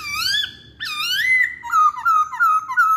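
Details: Masked laughingthrush whistling as lure material for other birds: clear upslurred whistles followed by a string of loud steady looping notes repeated rapidly.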